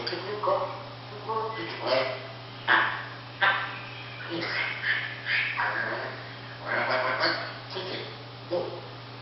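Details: Parrot, 18 months old, coughing and talking: a series of short voiced, speech-like bursts with rich harmonic bands, some rasping cough-like bursts, in a small indoor space with a steady low hum.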